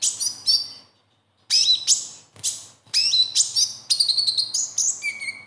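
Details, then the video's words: Lively besetan song of a konin sunbird, used to get caged birds singing: a sharp chittering phrase, a brief gap, then a dense run of high chips, whistles and downslurred notes. "SUARA KHAS KONIN AMPUH UNTUK PANCINGAN KONIN BAHAN"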